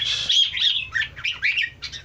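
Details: Red-eyed bulbul song made of rapid, slurred warbling notes that jump up and down in quick succession, with a faint low background hum.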